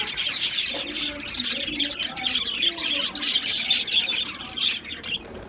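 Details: Colony of Australian budgies in an aviary, many birds chirping at once: rapid high tweets and warbled chatter in uneven bursts, with a few lower cooing-like notes underneath.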